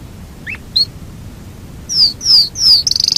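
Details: Yorkshire canary opening its song with a few soft chirps, then three loud descending whistles leading into a rapid high trill.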